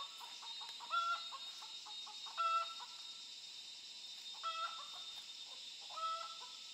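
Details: Wild chickens, a flock that turned up near a forest work place, chicks caught for taming; four distinct whistled calls, each a high clear note stacked over a lower one, with softer chirps between, above constant insect buzz.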